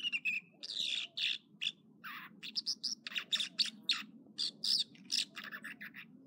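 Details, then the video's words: American dipper, or water ouzel, singing one morning at Echo Lake in the Trinity Alps of California. It gives varied high whistles and clipped, buzzy notes in quick repeated phrases over the steady roar of flowing water. "Water Ouzel Song Sequence"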